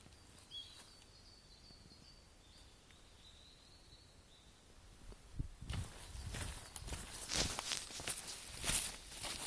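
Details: Wild birds singing at Hotokedani on Mount Rokko: thin high twittering phrases in the first few seconds over a steady outdoor hiss, then loud crunching footsteps and rustling take over the second half.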